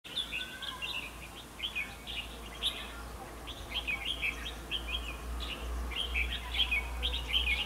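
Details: Red-whiskered bulbul song during bulbul trapping with a fighting decoy: short warbled phrases around the upper-middle pitch range, repeated about twice a second in loose bursts, over a steady low hum.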